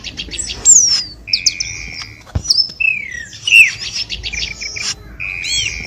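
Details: Cucak keling lure sound: sharp downslurred whistles and steady mid-pitched whistled tones, broken by a click and a pause, played to encourage kept birds to sing.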